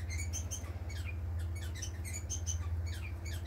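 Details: Society finches, a family of several pet birds recorded on 18 April 2020, giving soft, high, repeated chirps and short twittering notes over a steady low hum.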